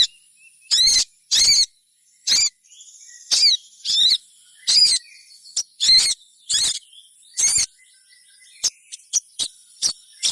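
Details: Sogon song used to trigger other sogons to sing: loud harsh downslurred notes repeated roughly every second, then softer quick high ticks, over a faint steady high whine.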